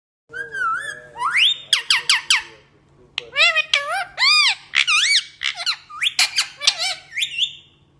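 A parrot gives bursts of squeaky, speech-like chatter mixed with sharp rising whistles, in quick runs over eight seconds, with a faint steady electrical hum underneath.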